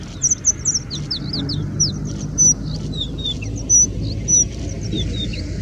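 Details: Singing bush lark in India pouring out song with mimicry of Indian Robin, Pied Bushchat, Plain Prinia, Common Woodshrike and more; a quick jumble of high slurred downward notes, then spaced bright high whistles, over steady low background noise.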